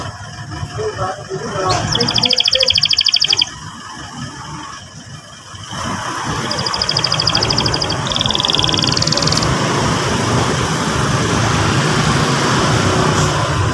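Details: Young canary song meant to prompt a young canary to sing: two bursts of fast high trilling, the second longer, partly masked by loud roaring traffic-like noise.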